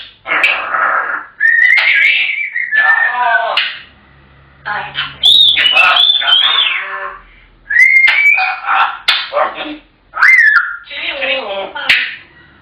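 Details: African grey parrots chattering: a run of short, mimicked speech-like phrases with gliding whistled notes, broken by brief pauses between bursts.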